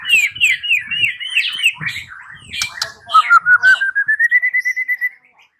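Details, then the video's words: White-rumped shama song used as a lure to make another shama answer and sing freely: looping, warbled whistled phrases, a few sharp notes, then a quick series of about fifteen clipped notes rising slightly in pitch before stopping. "Pancingan Murai batu 85% Jitu jadikan Murai batu NYAUT NGEPLONG"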